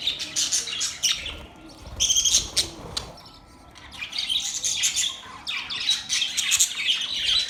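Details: Several budgies chattering in mating sounds: fast, rasping high chirps and squawks in clustered bursts, a brief lull in the middle, then a dense run of overlapping warbles to the end.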